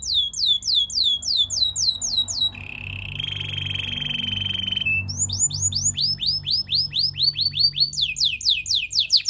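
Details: Belgian singing canary, a singer meant to coach other canaries, delivering a song of repeated high down-slurred whistles in fast series, then a level buzzy trill around the middle, then renewed rapid slurred notes; faint low hum beneath.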